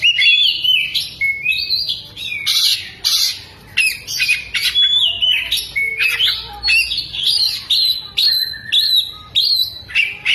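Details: Oriental magpie-robin spreading its tail while singing, its song filled with lovebird mimicry: loud, rapid run of varied whistles, sharp chirps and buzzy squawks, bright notes switching pitch constantly with almost no pauses.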